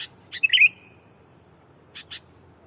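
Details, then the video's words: Decoy sooty-headed bulbul calling out to a rival to draw in wild birds: clicks then one liquid, bubbling chirp trailing off, followed later by two soft ticks; constant faint high-pitched hum. "Burung kutilang pikat memanggil lawan bikin kutilang hutan ketar ketir!!"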